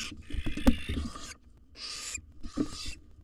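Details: Wild adult female barn owl in a nest box, forcefully driving out a fledgling, gives three rasping, breathy screeches between sharp knocks and shuffling sounds.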